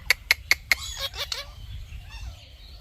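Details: Indian ringneck parrot, talking: four evenly spaced ringing clicks, then two or three hoarse, falling squawky syllables that fade into quiet.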